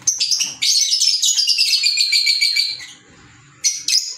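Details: Green Fischer's lovebirds, African lovebirds, keeping up a loud, continuous, shrill chatter of fast repeated squeaky notes for about two seconds, then falling quiet before two more sharp chirps.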